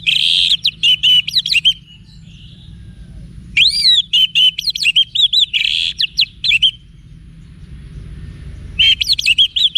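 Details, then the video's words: Orange-headed thrush in wiksar song for training cage birds in Bali: dense, loud phrases of buzzy notes and quick up-down whistles, repeated in bursts separated by short pauses, over a faint low rumble. "ANIS MERAH Manapun Bakal Nyaut Berani Untuk Figther Saat Didengarkan Kicauan Wiksar Ini"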